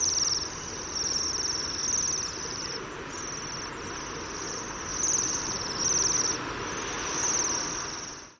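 Bohemian Waxwings give high, thin, buzzy trills in an almost unbroken shimmer that swells every second or two, over a soft background rush.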